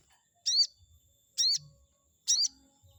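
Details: Chestnut-backed scimitar babbler sound for provoking a rival: three evenly spaced, high, squeaky notes with a rising sweep, about one per second, over near silence.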